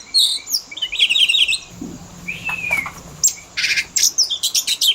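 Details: Oriental magpie-robin fill-in song (isian) as a training lure for caged birds: a harsh scratchy burst, then a smooth downward-slurred whistle, ending in a regular run of sharp high chirps.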